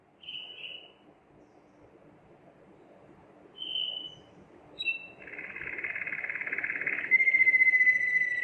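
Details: Waterslager canary used for song training. Several brief separate chirps with pauses come first, then a dense buzzy trill and a clear sustained whistle with high overtones, low background hum throughout.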